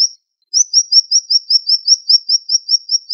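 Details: Sharp, speedy siri-siri bird song: after a brief whistle and a pause, a steady train of about a dozen thin, slurred high notes, evenly spaced and repeated quickly.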